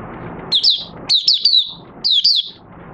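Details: Oriental white-eye in captivity, cover cloth opened for singing, 25 August 2022: three quick bursts of sweet, high, down-slurred whistles, each burst a few notes long, with low background hum between.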